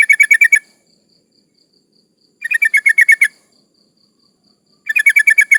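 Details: Breeding-condition female sooty-headed bulbul calling for males, used as a lure for rivals: three rapid bursts of about seven bright chattering notes each, coming roughly every two and a half seconds, with faint ticking between bursts.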